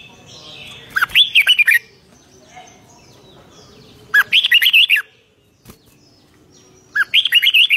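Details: Red-whiskered bulbul singing in 'rik' style, three short, punchy bursts of rapid, looping whistled notes, each lasting under a second, separated by quiet gaps and a sharp click.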